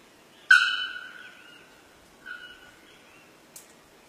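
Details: In Paraguay, a Bare-throated Bellbird gives a sudden, loud metallic clang that rings like a struck bell, then a softer repeat about two seconds later.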